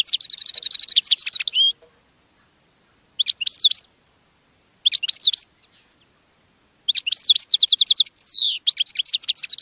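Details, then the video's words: European goldfinch singing in bursts: a long rapid tinkling trill, then short twittering phrases separated by silences, ending with a fast run of bright chirps and a descending sweep. "Jilguero Europeo Cantando - European Goldfinch Singing - Carduelis Carduelis"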